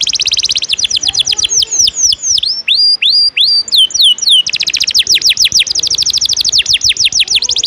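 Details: Domestic canary singing a lively tutor song: fast rolling trill, then slower descending swooping whistles in series, returning to a rapid dense trill at the end.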